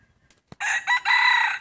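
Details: Rooster let out to graze and roam among Hmong fields and forest in the hills, giving a loud, close crow: a short harsh burst, then a longer strained note held about half a second, in a quiet setting.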